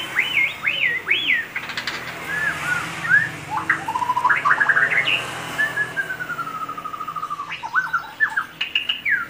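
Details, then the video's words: Loud, shrill song of a white-rumped shama: a rich, varied run of whistled phrases with rising and falling slurs, quick chattering notes and a long drawn-out whistle mid-phrase, delivered almost without pause. "MURAI BATU. PEKIK NYARING"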